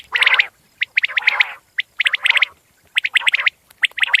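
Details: Common quail calling: clusters of sharp, clipped notes in quick groups of three to five, each burst separated by short silences, repeating roughly once a second with a rough, gargled undertone.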